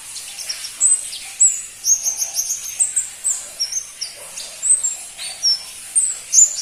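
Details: High-pitched song of a crimson-breasted flowerpecker (pentis pelangi), a rarely kept cage bird: thin, sharp chips and short slurred whistles roughly once a second, irregular, some in tight clusters.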